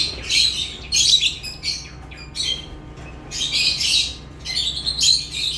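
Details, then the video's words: Shrill, raspy lovebird chirps in dense bursts, several squawky notes close together, then gaps of near quiet, with a faint constant low hum behind. "Love birds chirping sounds"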